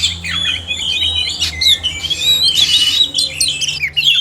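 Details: Male and female oriental magpie-robins singing together, a recording meant to stir reluctant caged birds into song; loud varied whistles sliding up and down, mixed with harsh squawky notes and short chirps.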